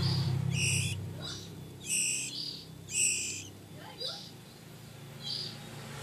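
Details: Oriental magpie-robin chicks a few weeks old begging while being fed: harsh, broadband rasping bursts, five in six seconds, some doubled, loudest early on, over a steady low hum.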